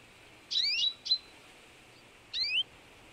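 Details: A partially albino Eurasian tree sparrow (Passer montanus) gives three short, bright chirps with quick upward-sliding notes, two close together and one after a pause, over faint background hiss.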